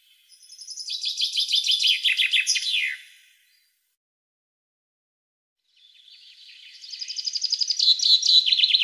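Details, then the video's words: Captive-stimulation recording of European goldfinch song: a long, rapid, liquid twitter building in volume and ending in dropping notes; after a silent gap, a second rising phrase of quick tinkling trills. "سارع غناء الحسون الظالم"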